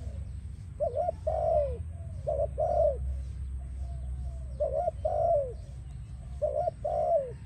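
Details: Spotted dove singing, a sound used to attract and train doves: paired short coos followed by a drawn-out descending coo, repeated three times with quiet pauses, steady low background rumble.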